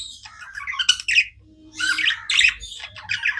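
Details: Pet budgerigars chirping nonstop: busy bursts of scratchy, buzzy warbles and squawky notes mixed with quick chirps, in clusters separated by short pauses, with no other clear sounds.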